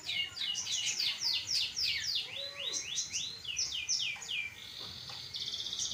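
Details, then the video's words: Long-tailed shrike, pastol variety, singing vigorously as a training recording: quick series of high, falling whistled notes, several per second, ending in a short dry buzzing trill. "Burung Cendet Pastol Gacor Dor"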